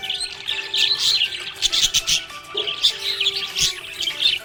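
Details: Contented budgie chirping in two clustered bursts of bright, high twittering separated by a brief lull, over faint background music.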